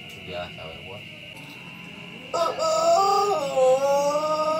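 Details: Pelung rooster gives a long, drawn-out, melodious crow with a wavering pitch that dips and then holds. It follows a steady background hum and a faint voice.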